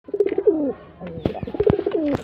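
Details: Male jeera pigeon performing, giving low throaty rolling coos, two bubbling phrases that dip downward, with a faint hint of voices in the background.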